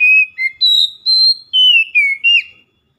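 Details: Oriental magpie-robin in loud, lively daily lure song: a steady run of six clear whistled notes, some held level and some falling or sliding, each separated by a brief gap.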